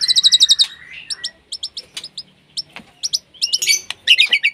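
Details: Breeding-condition white-rumped shama calling out a rival: fast series of bright high whistled notes, then spaced sharp chips and a closing burst of rapid rich trills, clear and dominant over a quiet background.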